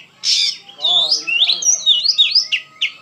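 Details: Oriental magpie-robin (kacer) in emotional gacor song: a loud opening note, a harsh buzzy phrase, then a quick series of rising whistled slurs and short high notes.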